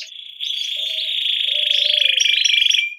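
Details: Lively, vocal canary singing a 'ngerol' rolling song used as a tutor recording for young canaries: one long, even, buzzing roll held at a steady high pitch for nearly three seconds, with faint low notes beneath.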